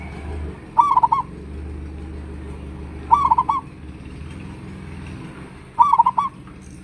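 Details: Local zebra dove giving a big-voiced lure call so other doves reply; three rippling coo phrases roughly every two and a half seconds, each quick notes then a longer ending, with faint traffic-like rumble below.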